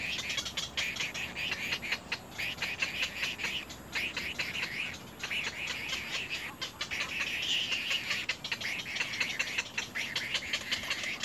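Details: At the nest, little egret young bite their mother hard and give a continuous buzzy, rasping chatter broken by short clicks and brief pauses.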